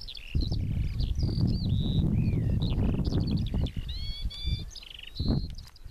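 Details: Pipit performing song flights above a field in May or June 2014: varied high chirps, downslurred whistles and short metallic trills repeated rapidly, with gusty wind rumbling underneath.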